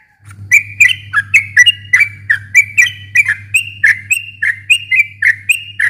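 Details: Sooty-headed bulbul giving extended 'gacor ropel' song used to provoke a reluctant bird into singing. Steady stream of short, bright, up-and-down whistled notes over a constant low hum.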